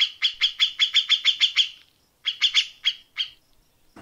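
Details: Grey-cheeked bulbul giving quick, sharp chattering notes in the tembakan rapat style: a run of about ten evenly spaced notes, a pause, then a shorter slowing run of five notes.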